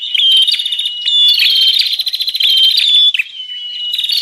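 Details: Lure call of the bar-winged prinia for catching wild birds: loud, high buzzy chatter mixed with clear whistled slurs, in long noisy runs broken by a short quieter stretch.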